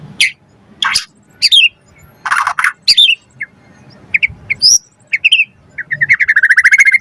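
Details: White-rumped shama song with full varied phrasing, used to provoke other birds to sing: harsh squawky bursts and sharp chips at first, then a fast even trill of short whistles.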